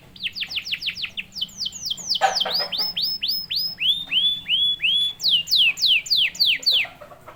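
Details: Canary singing to provoke other canaries: long sequence of repeated downward-sweeping whistles in groups, some lower and fuller, others high and sharp, delivered at a steady quick pace.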